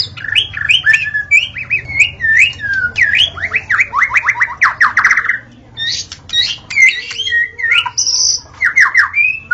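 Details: White-rumped shama song from the forest: quick sliding whistles, a rapid series of downslurred notes, then scattered high chips and whistles over faint background hum.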